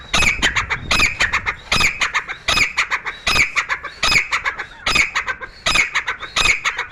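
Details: Grey francolin (Dakhni teetar), a newly started bird calling in a room: loud, strident, ringing phrases repeated steadily about every 0.8 seconds, each with a shrill high core.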